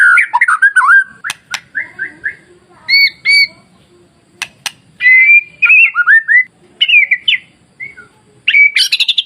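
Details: White-rumped shama masteran song, a training recording meant to provoke timid shamas into singing: loud, varied whistled phrases, rising and falling slurs, with sharp clicks and a harsh, buzzy burst at the end.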